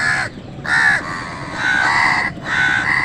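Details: Crows fighting with wild birds over food give harsh, broad caws, three long strident calls spaced about a second apart, with faint whistled notes of other birds behind.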